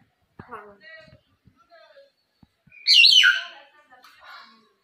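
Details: A talking hill myna gives short, voice-like talking syllables, then a loud, harsh rising whistle-shriek and softer chatter at the end.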